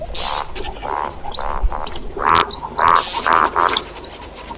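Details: See-see partridge call used for hunting: a loud, steady sequence of rasping, harmonic notes roughly every half second, with thin high squeaks over them.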